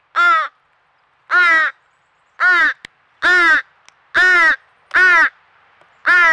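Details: Young crow begging loudly and persistently near a squirrel feeder in Nova Scotia, Canada: seven close, harsh, nasal caws, each about a third of a second, repeated roughly once per second with silent gaps.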